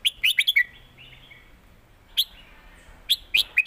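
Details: Caged red-whiskered bulbuls duelling in southern master-pattern song. A rapid run of bright, clipped whistled notes is followed by a pause, then two short loud notes answer.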